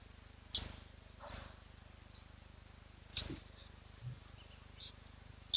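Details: Oxpecker climbing a giraffe's neck at an African waterhole, giving its characteristic call, likened to a crackle of electricity: brief dry crackling bursts, spaced roughly a second or two apart, over a faint steady hum.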